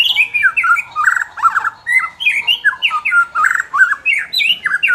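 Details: Captive white-rumped shama in full song, played to spur a less aggressive bird: a steady stream of looping whistled and squeaky notes, up and down slurs repeated rapidly without pause.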